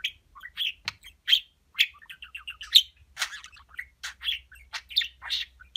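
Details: Talking pet budgerigar chattering its learned Turkish words and phrases: a quick run of scratchy, chirpy syllables with irregular bright notes and clicks, steady warbling with no other sounds.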